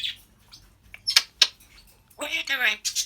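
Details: African grey parrot chatting away: sharp, high squawky bursts, then a longer run of voice-like syllables with stacked harmonics, ending on a harsh high note.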